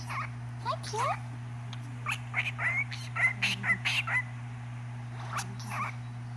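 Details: Cockatiel singing and talking: a run of short, bright whistled chirps, some rising, mixed with harsher speech-like sounds, over a steady low electrical hum.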